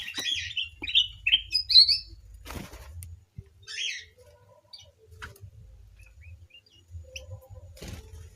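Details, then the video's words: White-crowned forktail kept in an aviary sings a quick series of high, warbled notes for about two seconds, then scattered lone chirps and clicks over a low hum. "burung Kacer air di dalam aviary"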